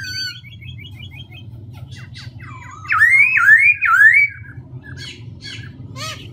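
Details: Black-throated laughingthrush singing and continuously changing its voice: faint chirps and a quick run of high notes at first, then a loud burst of rolling, looping whistles in the middle, followed by scattered softer notes over a low hum.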